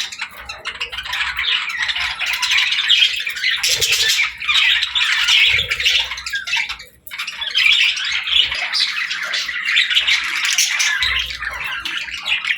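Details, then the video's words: A group of parakeets singing and talking in a steady stream of scratchy warbles and squawks. One short break in the chatter comes about halfway, then it resumes just as busily. "Parakeets Playing, Singing & Talking | Relaxing Chirping Sounds"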